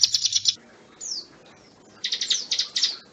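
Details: Bar-winged prinia song: a quick burst of five high, sharp chirps, a lone down-slurred whistle, then more rapid high chirp series with a buzzy slurred note, set against faint background hiss.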